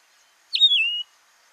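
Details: Yellow-throated longclaw (Macronyx croceus) in the Masai Mara, Kenya, calling: a single clear, high whistle sliding downward, about half a second long, with no other sounds.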